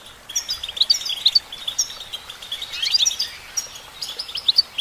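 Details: Goldfinch, a female, singing a fast jumble of high chirps, twitters and short trills, phrases tumbling one after another over a light hiss.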